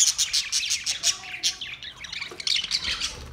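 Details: Chattering green parrots in Larkana, Sindh, August 30, 2023, giving rapid shrill chirps and scratchy squawks, about three per second, in a dense overlapping burst.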